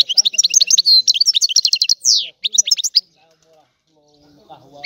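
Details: European goldfinch from Sicily singing an old, rare song style: a dense burst of quick high chirps and trills for three seconds, then near silence with faint low rustling and a final single note.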